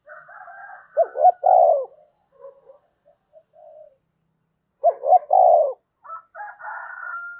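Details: Decoy spotted dove calling: a higher rasping sound opens, then two loud coo phrases about four seconds apart, each two rising hoots and a long deep coo, with soft low notes between and rasping again at the end.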